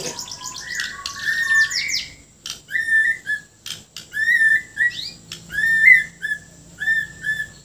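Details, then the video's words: Bornean white-rumped shama in full song with filler phrases and harsh notes: short warbled whistled phrases repeated about every second, with sharp high ticks between them. "MURAI BORNEO GACOR FULL ISIAN KASARAN SAMPAI TUMPAH - TUMPAH"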